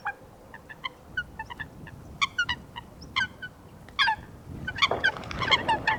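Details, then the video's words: Wetland coot giving sharp, short honking notes that grow busier and louder toward the end, where overlapping calls and a low rumble come in. "Coot Bird Sound | Real Calls of the Wetland Water Bird"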